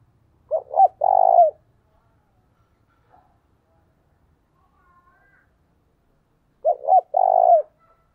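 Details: Early-morning spotted dove coo used to lure doves, native field-voice style: two phrases roughly six seconds apart, each a quick pair of short notes, then one sustained low coo. Only faint scraps of sound between phrases.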